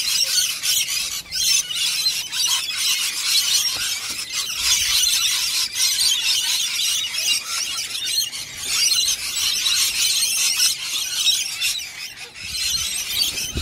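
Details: Lorikeets, apparently tame and friendly, giving a continuous harsh, high screeching chatter with rapid overlapping squeals and no pauses throughout.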